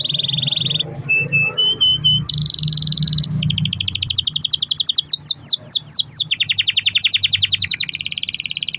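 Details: Canary delivering a long-rolled lure song to make other canaries sing: buzzy rolls, brief whistled notes, a stretch of rapid trilling and swooping sweeps, continuing in dense high rattles with a low background hum.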